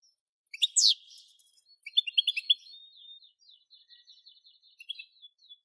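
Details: Singing European goldfinch with a loud sweeping note, then a rapid tumble of bright, tinkling twitters and trills that fade into softer, fast chatter; quiet background.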